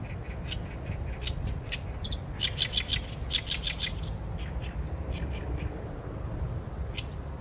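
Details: Song of an Oriental reed warbler, filmed with a Sony A7M3: scratchy notes build into a fast burst of repeated grating chirps mid-phrase, then trail off into sparser creaky notes, with constant low rumble behind.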